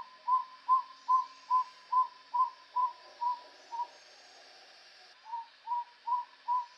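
Tody Motmot giving a steady series of hollow, slightly arched hooting notes, about two and a half per second, pausing briefly before resuming; soft background hiss.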